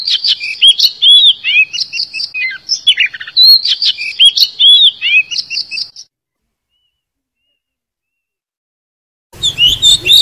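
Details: Decoy oriental magpie-robin song used to lure wild birds into traps and spur other magpie-robins to sing: six seconds of loud, rapid, varied whistles, slurred and rising notes and buzzy trills, then silence, then a brief noisy burst of song.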